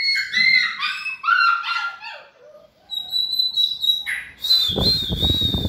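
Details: White-rumped shama in endurance training: repeated warbled downslurs, a soft low phrase, then a long high pure whistle, with a rough noisy rustle at the end.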